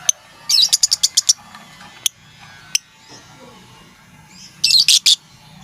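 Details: Lovebird calling its companions with sharp ticking notes: a quick series of about seven high ticks, a few isolated clicks, then a tight burst of four ticks near the end, over low background hum.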